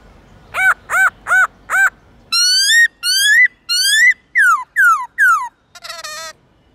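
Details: Morning forest-style song of a white-cheeked laughingthrush with many voices: four arched whistles, then rising slurred whistles, then sharply falling ones, ending on a harsher buzzy note, with faint low background hum early on.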